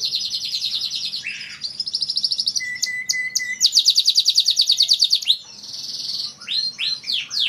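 A canary sings a fast, varied song of high rolling trills and quick chirps, broken by one steady whistled note, with bright sweeping phrases at the end.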